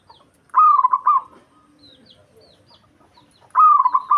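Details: Local zebra dove in breeding condition, singing to provoke a rival: two loud rolling coo phrases with rapid stuttering beats, three seconds apart, with faint thin chirps of small birds in the quiet gap.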